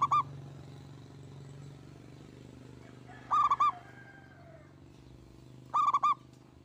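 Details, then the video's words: A single local Indonesian zebra dove in active song repeats a mellow three-part cooing phrase roughly every two and a half seconds, over a constant low mechanical hum. "Kutut Lokal Gacor‼️ENGKEL Untuk Pancingan Bunyi"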